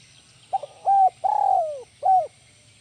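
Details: A single spotted dove phrase of the 'kuk 1 melambung' type: stuttered start, level coo, extended descending coo and a short final coo, over faint low background hum.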